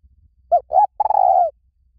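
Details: One full spotted dove phrase, used as a lure: a short coo and an upswept note, then a long, slightly trembling coo that slowly slides downward. Faint low rumble in the background.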